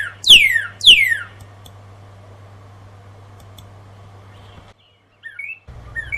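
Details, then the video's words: Northern cardinal at dawn, hidden in plain sight, giving two loud, clear whistles slurring steeply downward, half a second apart, then softer high chirps over a low steady hum. "I Hear the Sounds of the Northern Cardinals."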